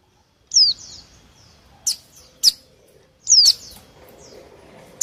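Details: Sparse Mountain white-eye calls for luring wild birds, a few high curling downward chirps and short sharp ticks separated by quiet gaps.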